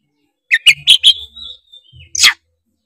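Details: Tretes oriental magpie-robin song intended to provoke other birds: quick cluster of four chirps running into a long thin level whistle, followed by a single harsh burst.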